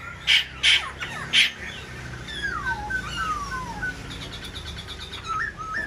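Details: Black-throated laughingthrush singing while fanning its wings and tail: three loud knocking bursts open, then a run of clear descending whistled slurs and a few short rising whistles near the end.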